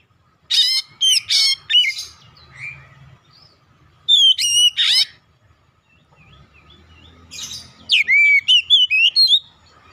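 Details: Oriental magpie-robin (kacer) full-content song with calling tones: three separate bursts mixing sharp, buzzy high notes with loud slurred whistles. The last burst is the richest, and quiet gaps fall between the bursts.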